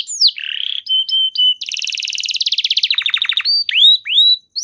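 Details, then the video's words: Canary singing as a lure for other canaries: a sweeping whistle, buzzy burr, flat whistled notes, a fast dense trill slowing into separate pulses, then downward-curving whistled swoops. "Pancingan Burung Kenari Macet Bunyi! Ampuh Bikin Kenari Lain Langsung Respon Terpancing bakal Gacor"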